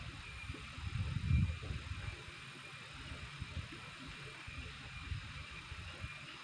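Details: Low rumbling vehicle noise with scattered thumps and a faint steady hiss; no animal calls.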